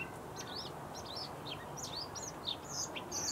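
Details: Bluethroat song: quick varied phrases of high chirps and buzzy twitters in close succession, over a steady noise floor.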